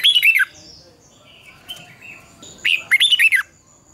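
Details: Red-whiskered bulbul singing competitively, meant as a lure for dawn training to stimulate other bulbuls to sing: two bursts of loud, bright, warbled notes that sweep down, with quieter chirps between them.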